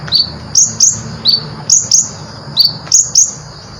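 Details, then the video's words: Konin songbird delivering short, sharp, high chirps, each with a quick upward flick, repeated in quick pairs and singles about every half second, with a faint low hum underneath. "suara burung, Konin gacor full isian"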